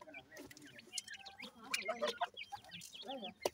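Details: Grey francolin chicks feeding: many short, high chirps and squeaky rising and falling peeps, several overlapping, with softer low clucks and scattered clicks throughout.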